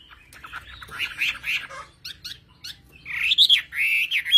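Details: A Chinese hwamei from the mountain forests of Vietnam's Central Highlands sings rich, varied phrases of slurred whistles and harsher squawky notes, rising and falling, ending in loud rapid warbling.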